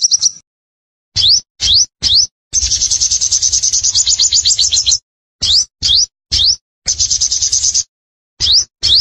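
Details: Energetic sunbird song for tutoring and luring: repeated sharp rising whistled notes, separated by short gaps, frame two bursts of dense, buzzy, fast high trilling. A faint hiss lies in the background.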